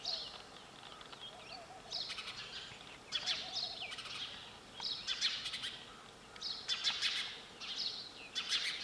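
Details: Sparrow chirping in irregular clusters of rapid high notes, several short volleys spaced one to two seconds apart, with a faint lower trill early on.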